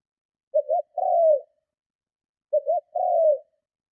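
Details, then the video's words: Strong luring coos of a spotted dove aimed at provoking other doves: two identical phrases, a clipped double note then a smooth, drooping coo, separated by a pause of about a second. "Tiếng Chim Cu Gáy Gù Kích Bổi Cực Mạnh"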